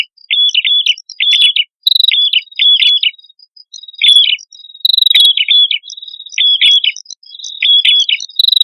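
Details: Red-headed prinia, male and female, in lively song used as a bird lure; short high chirping phrases repeated about every second, each a quick rising-falling figure, with faint higher ticks.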